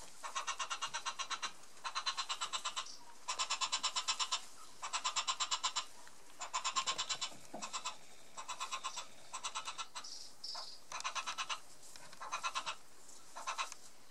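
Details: Yellow-billed hornbill calling repeatedly, a long run of hoarse, rapid clucking notes in bursts of about a second, repeated with brief pauses, over faint background hiss.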